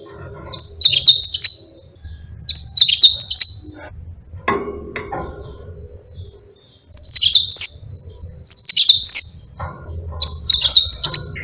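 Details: High, bright trilled phrases from a Yellow-fronted canary in lively long-rolling song, a tutor recording for other birds: two bursts, a dull thump and pause, then four more rapid phrases about a second apart.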